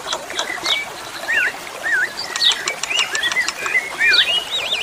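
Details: Wavy, yodel-like whistles from an Asian pied starling (jalak suren), repeated in short looping phrases between quick chips and a brief rattle, over a background of rushing water.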